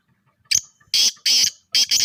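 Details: A black francolin (Francolinus francolinus) gives its loud, harsh, grating call: a short clipped note followed by several rasping, drawn-out notes in quick rhythm.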